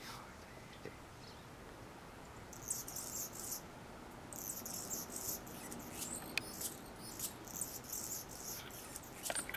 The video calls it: song of Anna`s hummingbird